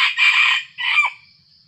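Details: Aggressive wild junglefowl coming to a decoy bird while it is still dark before dawn, giving a loud two-part crow: a long harsh first phrase, a short gap, then a shorter, falling second phrase. The background is quiet.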